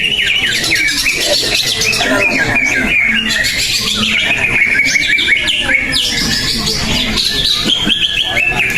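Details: Contest-winning greater green leafbird still competing in a singing event. Its song is a nonstop stream of short rising and falling whistles and chirps, crowded by other birds and low background murmur.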